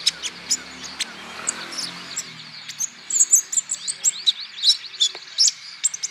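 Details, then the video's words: Olive-backed sunbird, a recording for prompting other birds to sing: steady high chipping with fast twittered flourishes and sweeping notes building in the second half, over faint background hiss. "PANCINGAN KOLIBRI NINJA BAHAN •TERAPI KONIN IJOAN GACOR"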